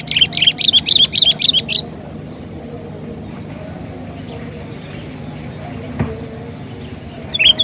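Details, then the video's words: Lure recording of a sooty-headed bulbul: a quick run of about six repeated, bouncy chirped notes lasting under two seconds, followed by a long stretch of low rumbling background noise and one faint final note. "suara pikat burung KUTILANG gacor"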